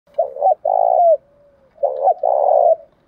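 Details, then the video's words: Spotted dove giving 'gáy gọi' calling coos in the 'giọng đồng' style, used as a lure to draw wild doves and provoke fighting; two low, mellow cooing phrases, each a short note then a longer rolling coo, separated by a soft trailing tone. "cu gay kich boi nhanh noi gù chuẩn gáy gọi+ Thúc Đấu , tiếng gáy hợp bổi giọng đồng gáy gọi"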